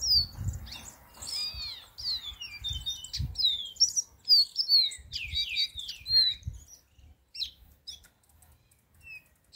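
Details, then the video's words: Green-winged saltators singing: a busy, continuous chatter of high, quick slurred chirps and descending whistled notes with a few buzzy trills. Low thumps and rumble sit underneath, and the song fades to sparse notes near the end. "chiviros verde cantando"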